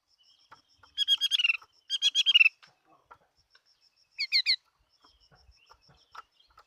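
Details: Chinese hwamei kept as a fighting bird: two rapid, trilled, chattering phrases of rich notes, a pause, then three quick bright whistles, with soft clicks and a faint high ticking between.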